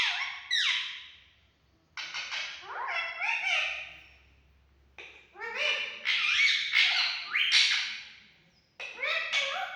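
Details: Talking green male parrot producing strained, nasal word-like syllables in irregular bursts, each starting loud and sliding downward, several phrases over ten seconds separated by brief silences.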